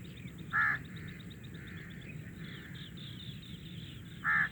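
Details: Black francolin (kala teetar) giving a loud call: two harsh, grating notes nearly four seconds apart over a steady twittering of small birds and a low background rumble.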